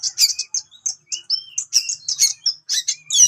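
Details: HC-type Oriental magpie-robin with a sharp song that angers rival birds; evenly spaced bright chirps and short whistles, some lower fluty notes, ending in a quick twittering flourish.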